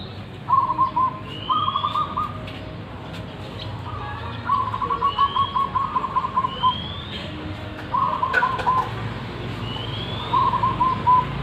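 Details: Local wild zebra dove with a big voice, cooing in repeated trilled, rolling phrases about every two seconds, each a short purring run of notes. Faint rising thin whistles from another bird sound in between, over a steady background hum.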